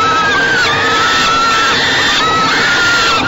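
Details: Falcon chicks at a Great Spirit Bluff nest box, fed by a parent on a May 2013 evening; a long, steady, slightly falling high wail with faint overlapping calls behind it.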